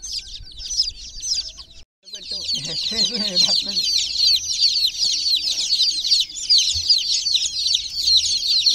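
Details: Chicks of domestic chicken in a water pool, peeping nonstop in a bright, shrill, overlapping chorus; a short silent gap early on, then a human voice speaks briefly beneath the chirping.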